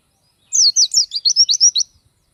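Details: Pleci, the Oriental white-eye, giving a short bright phrase of around nine quick, high, sliding whistles in a tight rhythmic run, lasting just over a second before stopping cleanly.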